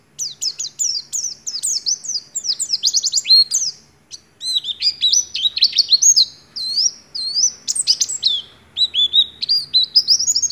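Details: Lively, continuous Oriental white-eye song carrying white-rumped shama imitations in the 'nagen ngecrok' style. Dense high twittering gives way after a brief pause to looping, whistled, bouncing notes in quick succession.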